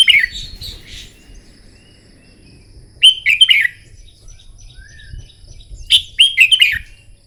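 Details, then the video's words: Red-whiskered bulbul trained for morning song contests, giving short bright whistled phrases of rapid falling notes, repeated at roughly three-second intervals with quiet gaps and low background hum. "Chào mào hót kích lửa " luyện chào mào hót đấu buổi sáng" kích chim hót căng lửa"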